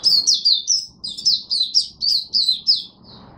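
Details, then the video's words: Continuous, lively chatter of an Oriental white-eye in Singapore, humid warm rainy overcast weather, March 2023: around a dozen rapid, high, slurred chirps run together without a break, each sliding downward. "Singapore Mata Puteh Buka Sing"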